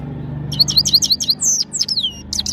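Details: Goldfinch from Parachinar singing a short burst of high, liquid twitters and falling slurred notes, spaced unevenly over two seconds.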